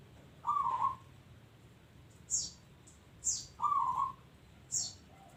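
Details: Two rolling, trilled coos from a local zebra dove in active song, spaced about three seconds apart, while sharp, high, downslurred chirps from another bird ring out in between.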